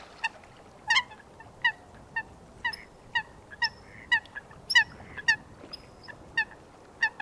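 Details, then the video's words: Coot in wetland surroundings uttering crisp, separate nasal 'kowk'-like notes about every half second against a quiet background. "Coot Bird Sound | Real Calls of the Wetland Water Bird"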